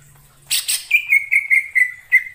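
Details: In wild forest, a greater green leafbird gives a harsh buzzy double burst, then about seven evenly spaced, level whistled notes.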